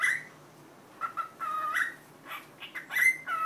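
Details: A cockatiel that taught itself Korean 'annyeong' alongside 'annyeonghaseyo' gives drawn-out whistled syllables with level and gently falling tones, a few short notes leading into a longer final phrase.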